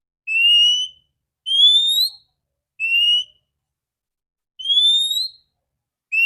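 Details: Female Oriental magpie-robin (kacer), whose loud, clear song is used to stimulate males. Long pure whistled notes, alternating a level tone with a slightly rising one, spaced about one to two seconds apart.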